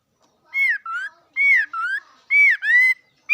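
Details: Paired slurred whistles from a bird, each pair a falling note then a lower rising one, repeated three times at roughly one-second intervals.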